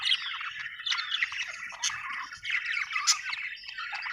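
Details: Happy chirping from a budgie, an Australian bird: fast chattering warble packed with short squeaky notes and small whistles, coming in rolling bursts.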